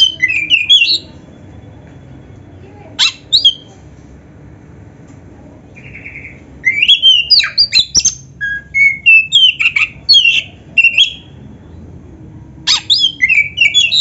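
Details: Caged black-breasted Oriental magpie-robin singing bursts of high whistled and chirping phrases with canary-like elements, meant to lure other birds into singing: short clusters of sharp notes separated by quiet pauses, one brief buzzy note mid-way.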